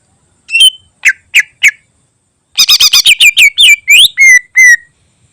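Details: Greater green leafbird song full of special fill, for training other birds: a few loud separated chirps, then a rapid run of about a dozen sharp ringing notes, ending in two drawn-out clear whistles.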